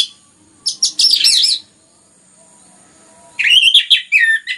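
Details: Anis merah, the orange-headed thrush, in full dense song used as a stimulus to get other songbirds singing. A thick burst of high scratchy notes, a quiet gap of almost two seconds, then bright whistled, descending phrases.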